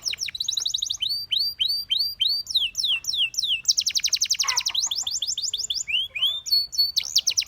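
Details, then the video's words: Singing canary, song for training: series of quick descending whistles, then dense rattling rolls and buzzy trills, with pitch changing between phrases, continuous and lively throughout. "The Best Canary Singing Video Ever!"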